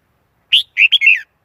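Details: Single bubbly Red-whiskered bulbul phrase: a loud rising chirp, a pause, then a smooth run of linked whistled notes wavering and sinking at the close.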